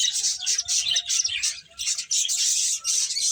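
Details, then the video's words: Playful finches keep up a loud, continuous stream of shrill, piping chirps with hardly a break. "Cute Birds Chirping Sounds | Beautiful Finches Playing"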